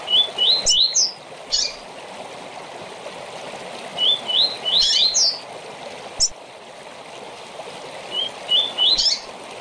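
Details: Rusty-collared seedeater giving its short tournament song: phrases of three or four rising whistled notes ending in high chips, repeated roughly every four seconds over steady hiss.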